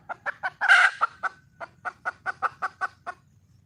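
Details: Red junglefowl hen calling to attract a male: a loud, rasping squawk early on, then a steady train of about ten clipped clucks repeated roughly every fifth of a second, fading at the end.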